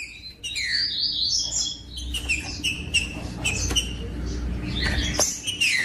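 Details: Green-winged saltator song meant to stimulate other birds: clear whistled phrases with rising and falling slurs, repeated through the clip over faint low noise.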